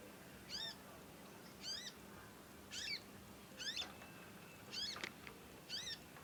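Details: Young conin practising song through long nyecet chirping: six curved, ringing chirps repeated about once a second, with a sharp click and low hum in the background.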